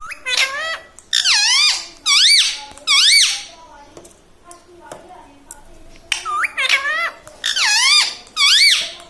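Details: Pet parrot talking indoors in a small room, repeating mimicked words in short bursts of squeaky, wavering syllables about every second, with quiet gaps between phrases.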